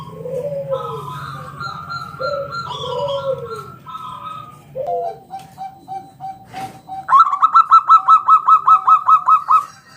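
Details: Local zebra dove, lure song in ngalun kung bulat style for drawing other doves into song: mellow arched coos with a steady hum, then a long fast run of bright staccato notes.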